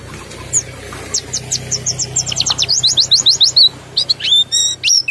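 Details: White-eye said to be low in breeding condition or weak in voice, giving a steady run of sharp, high, rapidly repeated chirps, then a few longer whistled and slurred notes near the end, over a low background hum.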